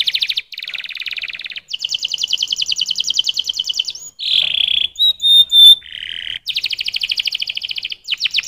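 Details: Singing canary delivering long rapid pulsed trills, fast and regular, broken by a lower burry phrase and a few loud piercing whistled notes before returning to quick rattling tours.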